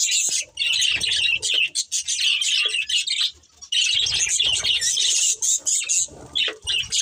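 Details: Budgerigars of a breeding pair give rapid, buzzy high chatter in two long bursts separated by a brief lull, with a thin steady whistle near the middle and soft low knocks beneath.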